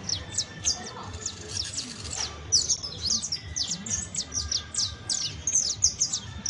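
A young saffron finch sings a busy, unbroken run of sharp, high chirps and quick downslurred notes, several per second, over a faint low background hum.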